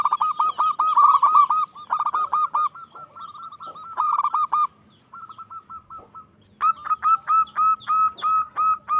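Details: Local zebra doves singing loudly, one urging others to answer: overlapping trilled coos and rapid series of short hooting notes from more than one bird, a quieter stretch mid-way, then another bright run of notes.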